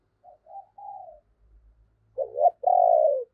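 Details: Spotted dove decoy urging others to coo: a soft short note and two drawn-out coos, then a loud arched double coo and a long, strong falling coo, with faint low rumble between.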